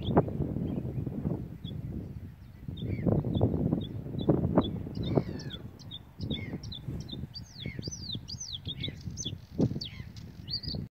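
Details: Bluethroat at the Beninger Slikken, 23 March 2021, giving thin, high notes and quick sweeping chirps over steady low wind rumble.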